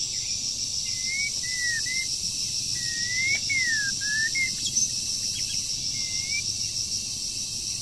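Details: Wild bird moulting during the breeding season, singing in sparse whistled phrases: short level whistles, paired rising and falling slurs and a brief upslur, spaced by pauses, with a steady high hiss and faint hum.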